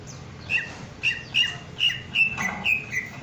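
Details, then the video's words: Greater green leafbird, puffed up and in breeding condition, giving short sharp whistled notes with a buzzy edge, repeated roughly every half second in an uneven series, with a low background hum. "Cucak Ijo Gembung Birahi"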